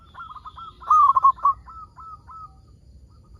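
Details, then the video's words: Frequently singing local zebra dove from Indonesia, played to prompt other zebra doves into song: one loud, quavering, stuttered coo phrase, followed by a trail of softer, spaced short coos fading away. "PERKUTUT LOKAL GACOR SUARA PALING AMPUH UNTUK PANCINGAN BURUNG PERKUTUT AGAR BUNYI"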